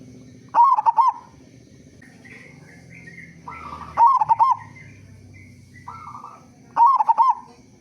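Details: Rhythmic loud coo phrases of a local zebra dove, three bursts about three seconds apart, used to lure other doves into singing, with quieter cooing birds and low hum in the background.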